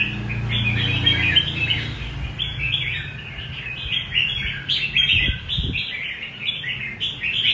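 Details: Rê cầu style song from a red-whiskered bulbul, a busy run of chirpy, warbling notes strung close together, continuing almost without a break, against a low background rumble.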